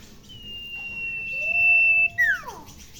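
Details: Shrill call of a tame Sirpu bird at home, which calls this way near humans: a sustained high, even whistle with a softer lower tone beneath, ending in a quick falling swoop.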